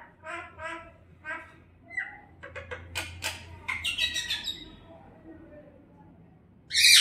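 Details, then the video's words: A talking common myna makes a few short, voice-like syllables, then clicks, harsh squawks and grating chatter, ending in a loud rasping burst. "কথা বলা শালিক পাখি"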